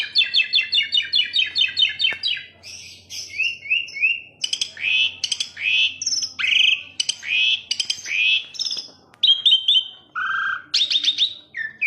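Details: Asian pied starling song opening with a fast run of repeated buzzy chattering notes, then a varied sequence of loud whistles, harsh rasps and sliding notes, continuous and energetic.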